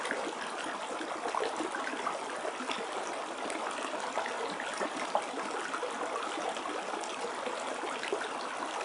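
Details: Steady rushing and trickling water, like a small stream or fountain, fills the whole recording with an even wash of noise and no clear animal calls.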